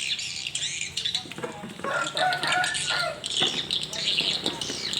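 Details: Swiftlets responding in the evening at a small swiftlet house: dense, high, thin twittering chirps overlap continuously, with a few lower, harsher notes and wingbeat-like fluttering mixed in.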